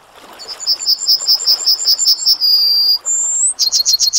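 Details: Yellowhammer (Emberiza citrinella) singing: a fast series of about a dozen high, thin repeated notes ending in a long drawn-out note, then a brief higher slurred note and the start of another rapid series.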